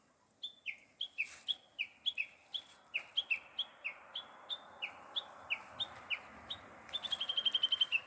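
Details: A small bird chirps steadily for several seconds in high, sharp two-note calls, each sliding downward, about three per second. Near the end they speed into a quick trill of clipped notes.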